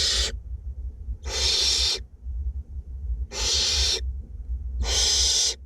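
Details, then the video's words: Nest-box barn owlets in north Glasgow, two young being fed, repeat harsh snoring hisses: four broad, rasping bursts at uneven intervals of roughly one to two seconds. "Barn owlets feeding"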